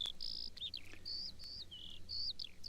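A Eurasian skylark pours out a rapid, unbroken run of high, clear whistles, slurred chirrups and short trills, over a low steady hum.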